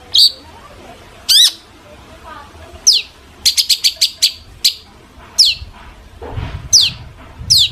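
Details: Long-tailed shrike in song used as a lure for other shrikes; spaced, sharp descending high whistles, with a quick run of ticking notes midway and a low murmur underneath near the end.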